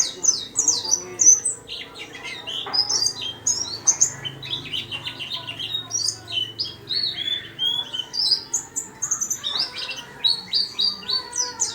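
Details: Caged white-eye singing tirelessly inside a small cage, a dense, high-pitched twittering of quick chirps and slurred notes that runs on without pause.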